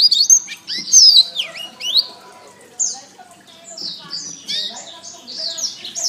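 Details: Canary song recorded for training songbirds, fast high whistled slurs and trills in quick succession, then a run of repeated buzzy rolling notes.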